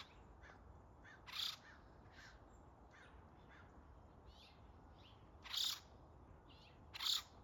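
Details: Wild acorn woodpeckers flying among trees around a home; three short, harsh, buzzy calls at wide intervals over a quiet outdoor background.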